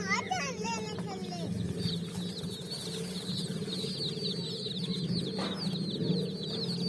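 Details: A flock of colour-dyed chicks foraging on sand at evening; continuous shrill overlapping cheeps from many birds, a few louder sweeping peeps at the start, over a constant low droning hum.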